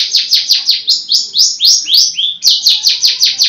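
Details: Kept long-tailed shrike (cendet) delivering rapid, evenly spaced harsh downslurred notes, almost two per second, with a few longer grating phrases in the middle and soft background noise.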